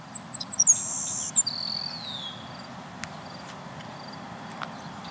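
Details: Savannah Sparrows singing at Millennium Park, West Roxbury, Massachusetts: several quick, very high chips, then a thin, insect-like buzz that drops lower at the end, over a steady low rumble.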